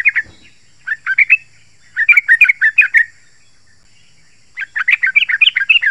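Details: Yellow-vented bulbul song, a dense, sharp-voiced lure recording for calling wild bulbuls in forest or gardens and prompting caged birds to answer: three bursts of bubbly, gurgling chattering notes, the last long and rapid, over a faint steady high hum.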